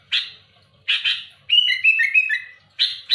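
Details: Rival-challenging song of a sooty-headed bulbul: three harsh, scratchy chirps, then a liquid rolling phrase of descending and rising whistles, and more rasping chirps at the end.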